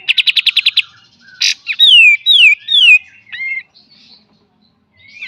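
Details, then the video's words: Pied triller singing for use as a cage-bird training master, full beset and tembak: a quick series of eight buzzy notes, a sharp burst, then three loud falling whistles and quieter rising notes before silence. "KAPAS TEMBAK FULL BESET DAN TEMBAK"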